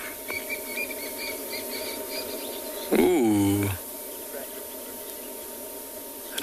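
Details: Crested francolin spooked by something on a South African private game reserve during a morning safari, lionesses nearby: a sudden loud harsh screech of stacked, falling notes lasting under a second, amid quiet bush chirps and a guide's voice.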